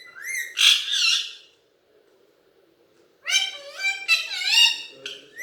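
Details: Pet Alexandrine parakeet talking in Hindi: a rough two-syllable word, a pause of nearly two seconds, then a longer hoarse, wavering string of speech-like syllables.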